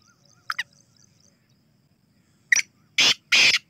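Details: Black francolin calling: two short scratchy notes, a pause, then a sharp note followed by two loud, harsh, broad rasping bursts in quick succession, against a quiet background.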